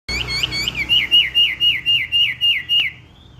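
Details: Black-naped oriole singing actively: a rapid run of about ten clear, whistled, down-slurred notes, evenly repeated roughly four times a second, then a brief fading whistle; quiet background hum.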